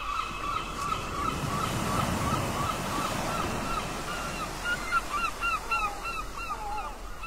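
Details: Many gulls at a port giving short, harsh, downslurred calls, several overlapping at a quick pace, over a steady low rumble of water and wind.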